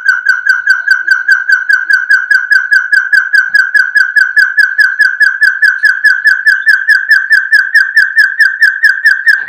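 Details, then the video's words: Hill partridge, locally called the "barking quail" after its distinctive barking call, gives a steady series of clear mid-pitched whistles, about two to three each second, with nothing else heard. "SUARA BURUNG PUYUH GONGGONG"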